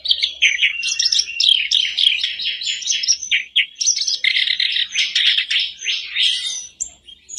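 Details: Lure song of a black-browed reed warbler for a reluctant caged bird: a continuous jumble of grating chatters, squeaks and buzzy phrases that shift pitch rapidly, with a faint low hum.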